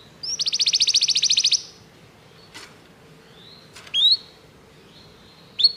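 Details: Canary singing on a recording made for training canaries: a brief buzzy trill of rapid repeated notes lasting about a second, then a few sparse short upslurred chirps and faint clicks over a low steady hum.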